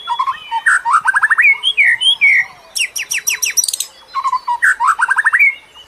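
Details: Bird singing to lure other birds: lively chattering song of rapid repeated chirps and slurred whistles in bursts, with a dense high trill in the middle.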